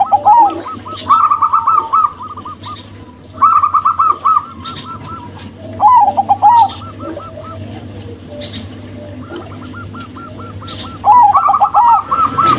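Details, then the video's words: A local female zebra dove and a crossbred male give short bursts of quick, bubbling coos. Each burst lasts about a second and is separated by quiet pauses of a few seconds. "PERKUTUT LOKAL BETINA & PERKUTUT KROSING JANTAN"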